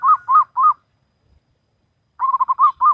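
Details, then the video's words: Zebra dove of local natural stock in full song, Salendro rhythm: three round, separate coos, a pause, then a quick stuttering run of short notes ending in two fuller coos. "Perkutut Lokal Alam Manggung Gayer Irama Salendro"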